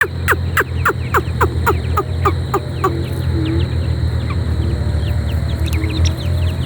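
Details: A wild Black francolin (Dakhni/Irani teetar) gives a rapid series of harsh, downslurred notes, about three per second, fading after three seconds over a steady low hum.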